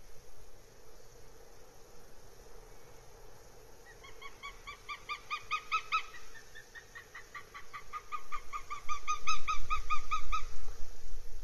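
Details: Northern goshawk at its nest, Abernethy Forest, Scotland, recorded 3 July 2022: two fast, rhythmic runs of harsh kek-kek-kek notes, each lasting two to three seconds, with steady low wind-like rumble underneath.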